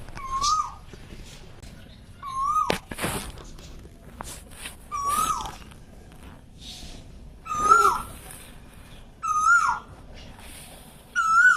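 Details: Asian koel calling in the morning outside a window, waking a sleeper in spring: clear whistled notes that rise then drop, repeated roughly every two and a half seconds, six calls, with soft rustling and household noise between.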